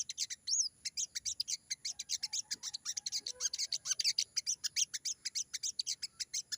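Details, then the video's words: Energetic forest sogon pouring out quick, high, scratchy chirps in a continuous rattling series, with one swooping whistled note near the start. "burung sogon gacor banget!!bunyi sogon ngalas"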